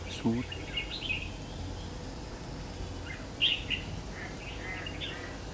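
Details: Red-whiskered bulbul recorded during trapping on 3 September 2019, giving a few bright chirped and warbled notes in loose phrases, one louder burst midway, with a steady low hum underneath.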